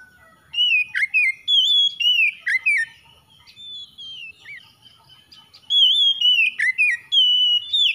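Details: Oriental magpie-robin singing repeated loud whistled phrases with quick drops and twirls, a quieter softer passage in the middle, then a renewed strong run of whistles.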